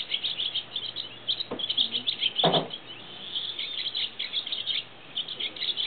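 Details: Chirpy swallow recorded from a reserve hide, giving a steady stream of quick, high scratchy twitters and chirps, with two brief low thumps partway through.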